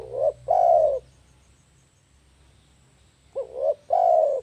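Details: Spotted dove call played to lure birds, two phrases about three seconds apart, each a brief bent coo then a long steady purring coo, with a soft low hum underneath.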